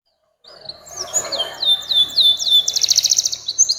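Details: Canary song in the long 'nembak panjang' style, used to train young canaries: after brief silence, a series of high downward-slurred whistles leads into a fast buzzy trill over a faint low background hum.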